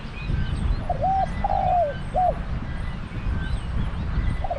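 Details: Spotted dove serving as a decoy near a trapping pen in Thailand delivers one full hoarse coo phrase of a short note, a sliding, falling croon and a brief end note. A further phrase begins at the close, with low rumbling noise behind.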